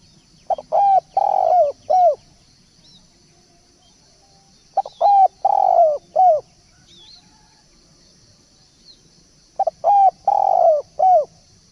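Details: Turtle dove cooing in three separate phrases about four seconds apart, each of short clipped notes, one long coo and a falling end note, over a high steady buzz.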